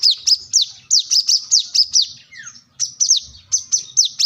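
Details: Energetic song of a plain-throated sunbird (kolibri kelapa) seeking a rival: bright, high, descending chirps in quick succession, broken by a short gap with a faint lower slurred note.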